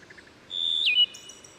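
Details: Single Wood Thrush phrase at Herring Run stream near Havre de Grace, Maryland, in reverberant woodland: faint low lead-in notes, then a bright sustained whistle that slides downward, ending in a high thin trill.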